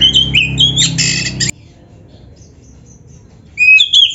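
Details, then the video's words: Oriental magpie-robin song used to train other magpie-robins: a burst of loud whistles and harsh rasping notes, two seconds of near silence, then bright whistled phrases resume. "SUARA KACER GACOR FULL ISIAN !! - LATIH MENTAL KACER BIAR CEPAT NYAUT GACOR"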